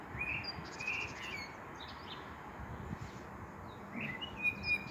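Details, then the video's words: A common blackbird at sunset sings short mellow whistled phrases at the start and again near the end, with thin twittering notes and faint outdoor hiss in between. "Amsel und Sonnenuntergang!"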